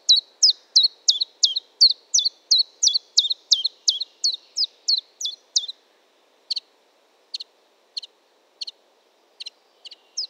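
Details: Common chiffchaff song with a rapid run of about sixteen high, falling notes for nearly six seconds, followed by sparser, short clipped notes spaced about a second apart.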